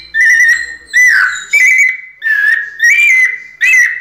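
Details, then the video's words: Pianado song of a ringed captive White-necked thrush: six sustained, pure whistles, some wavering and some dipping, spaced roughly every two-thirds of a second, with a quiet background. "Sabiá coleira "Sol" nunca vi pianado tão perfeito!"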